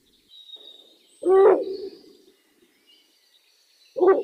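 An owl gives a low, hollow hoot followed by a trailing, wavering note, then starts another hoot about three seconds later; a faint high whine runs behind.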